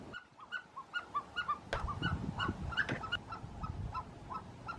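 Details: Himalayan snowcock calling in the Gilgit-Baltistan mountains: a rapid series of short, nasal, honking notes, repeated about three per second, some in overlapping bursts, with a low rumble and a few sharp clicks behind.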